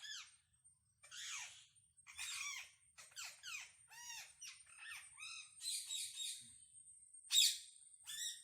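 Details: Wild parrots communicating with a varied run of sounds: short arched whistles, harsh rasping squawks and chirps in quick irregular succession, with a steady thin high tone running underneath.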